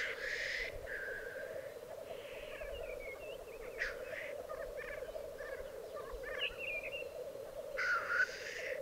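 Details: Black grouse display at a lek in the Piedmont Alps. Low bubbling runs throughout, framed by hissing bursts at the start and end. In the middle, varied short gobbling and twittering notes are mixed in.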